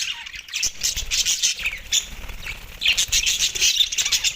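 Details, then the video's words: Australian budgies eating soft food, recorded December 4, 2023, chattering in overlapping high twitters and short squawky notes, louder bursts near the start and again toward the end. "Australian Budgies food 🥝 Soft food best chirping sound"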